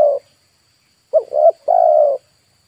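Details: Spotted dove used as a decoy to lure wild doves; a low cooing phrase of a short upswept note, a quavering middle note and a long even coo, following the tail of an earlier coo, with a faint constant high-pitched hum behind.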